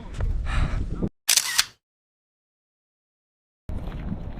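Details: Camera shutter clicks and handling noise over low rumble, followed by about two seconds of silence and then more rustling; no animal sound.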